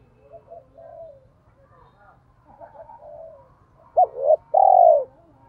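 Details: Decoy spotted dove giving a cooing call with a voice suited to stirring up wild doves. Soft, distant coos come first, then two loud, low, hoarse coos close together near the end.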